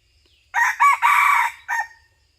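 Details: Red junglefowl crowing during a junglefowl hunt: one loud, harsh crow in four parts, a short opening note, a second note, a long sustained middle section, then a brief closing note, against a near-silent background.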